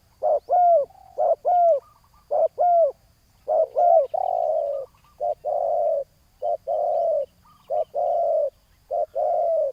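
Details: Spotted dove decoy contest at ground level: a fast string of ringing coos with arched overtones gives way to steady alternating short and long purring coos, repeated nearly once a second over ten seconds.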